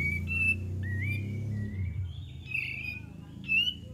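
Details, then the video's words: Kapas tembak song for luring birds: a few drawn-out whistled notes, one rising and one wavering, with a loud low hum filling the background. "PANCINGAN KAPAS TEMBAK DIJAMIN NYAUT"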